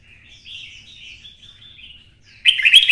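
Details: Red-whiskered bulbul of the twisted-voice type, stimulated to sing for fighting: quiet wavering warble for two seconds, then an abrupt loud harsh burst of notes.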